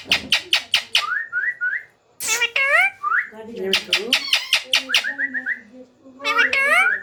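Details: Small rose-ringed parakeet chicks at feeding time, hand-fed indoors: harsh rasping pulses mixed with quick runs of short rising whistled notes, chattering in overlapping bursts with a brief pause.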